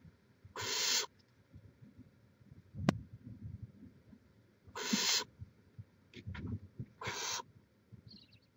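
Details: Nesting barn owl on a live camera in Chula Vista, California, 18 May 2017, giving three loud, breathy, rasping hisses a few seconds apart, with a sharp click and faint soft rustles between them.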